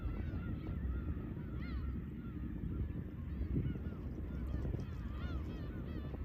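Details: Black-tailed Gulls calling at Horozuki fishing port, Imabetsu, Aomori, Japan: several mewing, arched calls from more than one bird, some rising and falling, over a steady roar of breaking waves.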